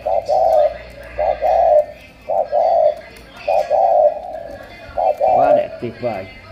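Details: Spotted dove from Cà Mau, Vietnam, described as 'tú', giving a steady run of hollow two-part coos, short note then long, about five phrases, with a man's voice breaking in near the end.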